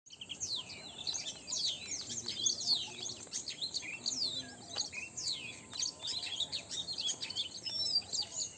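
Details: Many birds chirping together in the early morning: a dense, continuous tangle of high, quick tweets and thin whistled slurs, overlapping throughout, with a steady faint background hiss.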